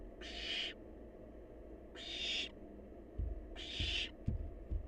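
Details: Three coarse, breathy hisses from a wild young barn owl eating leftovers, about 1.5 seconds apart, followed by several sharp low clicks and knocks as it handles food.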